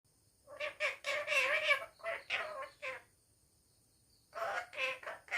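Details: Pet parrot talking at home: a run of harmonic, voice-like syllables, some long and some clipped, in two bursts separated by about a second of quiet, with a faint steady high hum behind.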